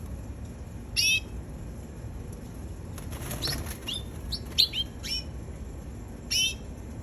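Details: Red canary, described as a baby, giving a few separate high chirps and short downward-sweeping notes scattered over several seconds, with soft wing flutter and a quiet hiss behind.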